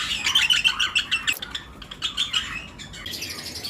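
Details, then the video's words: Lovebirds chirping in a flight colony during breeding season, with other birds present; quick runs of bright, clipped chirps at about three per second, pausing and resuming in short bursts. "Lovebirds Chirping Sound"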